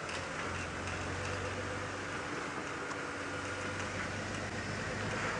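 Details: Continuous vehicle engine hum with a low steady drone and broadband hiss on an evening safari drive, without any animal calls.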